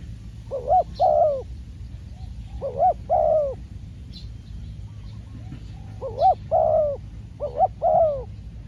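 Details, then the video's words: A decoy spotted dove, taken out for trapping, gives pairs of soft hollow coos in four groups spaced over several seconds. Faint thin chirps from other birds and a low background rumble are also heard. "ต่อนกเขาใหญ่ พานกฝึก เจ้าอันาดามัน ออกฝึกเก็บเชลยแต้มแรกกได้สำเร็จเชลยเสียงเล็กคูดี"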